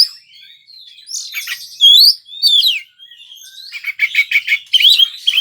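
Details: White-rumped shama, a prized Indonesian contest songbird, singing a varied, energetic song: whistled rising and falling notes, sharp descending slurs, then rapid buzzy trilled bursts repeated toward the end, loud and clear with no other sounds.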